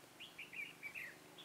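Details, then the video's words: Red-whiskered bulbul used as a decoy to lure wild bulbuls into a trap, recorded 23 October 2017. A quick run of about six clear whistled, slurred notes, each rising then falling, in one bright phrase of about a second. "Bẫy chào mào Mào lân chơi cúp cầu"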